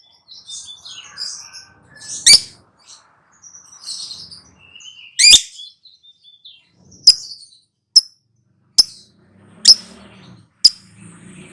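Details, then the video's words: Lovebird giving its long chattering 'ngekek' song, described as 'ngakak ngacor': high, thin twittering chatter with two loud sharp shrieks in the first half, then a run of clipped, piercing chips roughly once per second. "KICAU TERAPI BURUNG LOVEBIRD LANGSUNG NGAKAK NGACOR NGEKEK"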